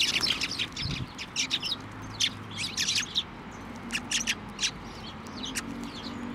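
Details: Sparrows come to a hand for food at a Tenmangu shrine, 23 November 2023; busy, irregular high chirps throughout, with a faint low hum and a brief low thump near the start.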